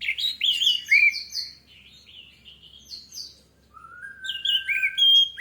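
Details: Orange-headed thrush singing as a lure to provoke song: a fast chain of chirping, slurred whistles, a quiet gap, then a long smooth whistle and bright high notes.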